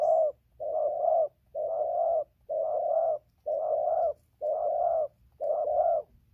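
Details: Spotted dove cooing steadily as it comes down from a tree to the ground, seven mid-pitched doubled coos repeated about once a second with short gaps, no other sounds.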